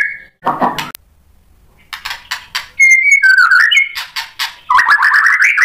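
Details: White-rumped shama song to provoke a response: a brief whistle and a harsh rasp, then scattered clicks, clear whistled notes and a fast warbled ending.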